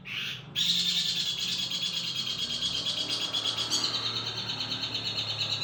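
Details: Long-tailed shrike, called pentet or cendet in Indonesia, opening with a short sharp note, then delivering a long, even, buzzy, high-pitched chattering trill that runs without a break, with a faint low hum underneath.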